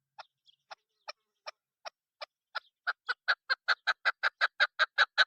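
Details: Female chukar partridge call used in hunting: sparse, thin clucks that speed up and grow louder into a fast, strong chattering series of harsh notes.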